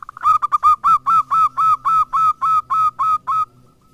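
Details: Local zebra dove used as a lure to prompt other doves to call: a loud run of about thirteen short, even cooing notes repeated rapidly at one steady pitch, ending abruptly, with a faint low hum underneath.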